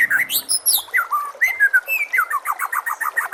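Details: White-rumped shama singing a training tutor song for caged birds, high sweeping notes opening into varied fluted whistles, then a rapid chattering series of short repeated notes.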